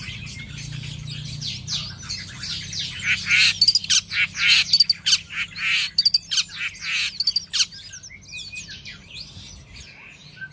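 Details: A captive long-tailed shrike set out in the morning sun gives a fast, varied song of harsh chatters, sharp squeaks and sweeter warbled notes, busiest in the middle, over a low steady hum.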